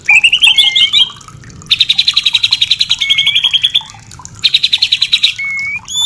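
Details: Murai batu, the white-rumped shama, singing a mating-therapy song for kept birds: a warbling whistle, then long runs of rapid, evenly repeated sharp notes, broken by clean drawn-out whistles.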